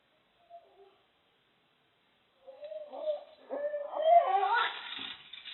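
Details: Barred owls making loud, strange noises: a brief soft hoot, then after a pause an excited run of wailing, cackling and yelping notes that rise in pitch and intensity, overlapping one another.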